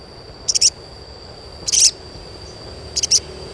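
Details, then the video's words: High-pitched sogon chirping, meant to prompt young birds into singing: three short clusters of sharp, very high twittering notes, each under a quarter second, spaced about one to one and a half seconds apart against a faint background hiss. "SUARA CUITAN SOGON UNTUK PANCINGAN SOGON BAHAN AGAR CEPAT GACOR"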